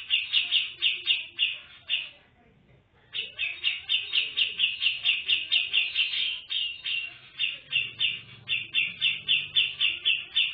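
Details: A female grey-cheeked bulbul (cucak jenggot) sings with full fills and good volume: fast, chattering runs of bright notes, about four per second, with one brief pause over a faint low hum. Grey-cheeked Bulbul.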